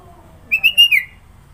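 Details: Sooty-headed bulbul, kutilang, with a varied filler-rich song: a brief phrase of four clear whistled notes, the last slurring downward, over a quiet background.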